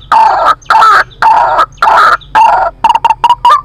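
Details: Trapping lure call of a white-breasted waterhen, with several long, rough, croaking notes followed by a quicker run of shorter harsh notes at the end.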